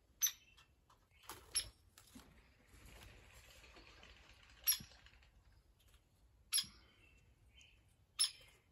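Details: A female hairy woodpecker at Lake Bellaire on 20 May 2022, unhappy about slim pickings, gives six sharp, high, squeaky peek notes at irregular intervals over a quiet background.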